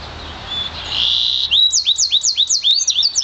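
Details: One-year-old Yarrell's siskin mule bred from an intensive green Fife canary sings a sustained high buzzy note, then a fast series of looping, rolling whistled trills repeated about four times a second.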